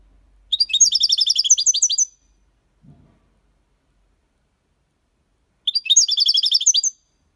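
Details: Copia Málaga song from a European goldfinch, played to stimulate young birds to sing: fast bright twittering phrases around a second and a half long, with a quiet pause of several seconds between them.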